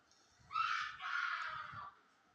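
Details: Ring-necked parakeet in the morning giving a loud harsh screech lasting about one and a half seconds, rough and slightly wavering, with faint low thumps beneath it.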